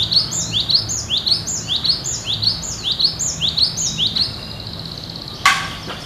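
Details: Cinereous tit in gacor nagen song, sounding as in the wild: a steady run of about eight high, sharp two-note whistled phrases roughly every half second, ending in a short trill and a single click.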